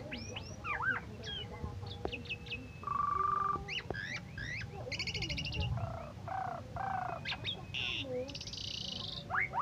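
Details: A presumably captive Asian pied starling (Gracupica contra), said to have won first place in a 17 August singing contest, sings a busy, varied medley of sliding whistles, buzzy harmonic notes, rattles and clicks over a low rumble.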